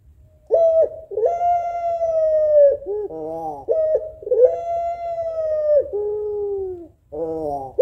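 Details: Female African collared dove (puter pelung) calling the male, a sad-sounding call: long, steady, hollow coos that slide down at the end, broken by short throaty rolling notes and repeated in cycles.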